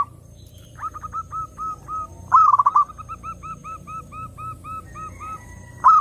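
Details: Zebra dove song for drawing in other doves: a series of soft spaced coos, one loud stuttering roll at about two seconds, then a long even train of mellow coos and a final loud burst.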